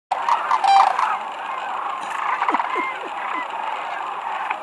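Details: Thousands of sandhill cranes descend to land at Whitewater Draw Wildlife Area near McNeal, Arizona, on 5 February 2018, in a dense chorus of overlapping rolling, trumpeting rattles, with a few lower croaks beneath the steady din.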